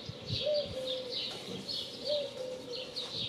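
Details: Dove cooing: two soft, low, hollow coo notes, slightly rising then level, about a second and a half apart, under busy high chirping from other small birds throughout.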